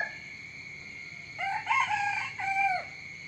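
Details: Morning crow of a rooster: after quiet, a two-part crow with a bright, bending first phrase and a long, level second phrase ending in a drop, with a constant thin whine behind.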